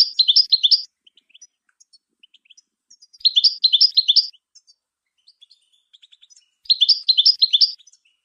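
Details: Goldfinch song meant for training songbirds: three short, dense twittering phrases roughly every three and a half seconds, bright and high, with faint soft chips filling the gaps between them.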